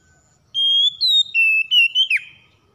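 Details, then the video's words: Oriental magpie-robin giving a clear whistled phrase of about a second and a half: a steady high note, a brief upward step, then lower sustained whistles ending in a quick downward slur. "KACER SUSAH MALAS BUNYI TERPANCING CEPAT GACOR"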